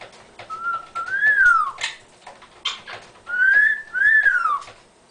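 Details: Chatty Amazon parrot kept as a pet, vocalizing indoors as its owner types: loud, clear whistled phrases that rise then fall, repeated twice, with short scratchy noises between them.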